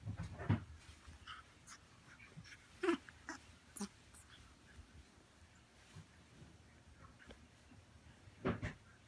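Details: A grey parrot chick born September 2018, acting very affectionate and clingy like a puppy, gives a few short, raspy, wheezing calls spaced unevenly about two to five seconds apart in a quiet room.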